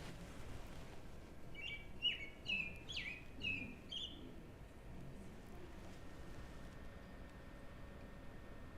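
American Robin song: about six short, clear whistled phrases in quick succession, each rising and falling slightly, over a steady low rumble of background noise.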